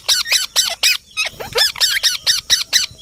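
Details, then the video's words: Soft-voiced parrot squawking in a rapid, even series of about eleven short harsh notes, roughly four per second, with one brief pause midway. "Mithu parrot soft Voice"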